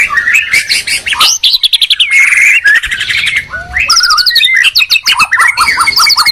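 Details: White-rumped shama from Medan and Borneo in a song duel, territorial birds: rich varied whistles, rising and falling slurs, rapid trills and repeated notes, loud and dense throughout.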